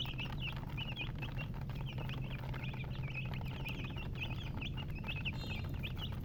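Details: Hen's chicks keep up a stream of high, short peeps, some clipped, some slightly drawn out, heard over an unbroken low drone.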